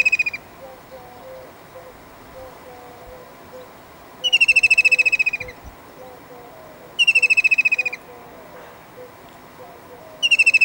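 A white-throated kingfisher gives loud, shrill, fast trills that slide slightly downward, each about a second long, every three seconds. Faint lower bird notes sound behind.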